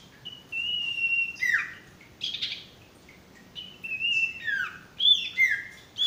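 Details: A male sirtu sings level high whistles alternating with down-slurred notes and short scratchy bursts, in phrases about a second apart. The recording is a masteran for stressed or non-singing birds.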